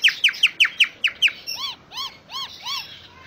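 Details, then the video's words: Common myna, jalak nias, in full 'isian' song for tutoring other birds: seven quick descending whistled notes in a fast run, followed by four slower arched, rising-and-falling gurgling notes. "Suara Kicaun Burung Jalak Nias Full Isian"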